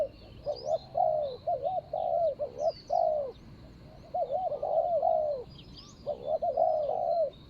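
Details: Spotted dove calling as a ground decoy to draw in a rival, 24 January 2565 (Thai calendar). Dense runs of rolling double coos end in a falling drawn note, repeated in three bursts. Faint high chirps sound throughout.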